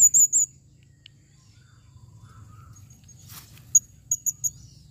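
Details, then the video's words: Calling female blue-crowned hanging parrot, 2021: three quick shrill wavering notes open, then quiet, a soft rustle, and a run of brief, very high chirps near the end. "serindit betina memanggil"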